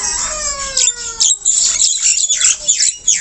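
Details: Black-winged starling, white-eyed form, singing vigorously even while perched low; opens with clear descending whistled notes, then shifts into bright, high, scratchy chatter in uneven bursts.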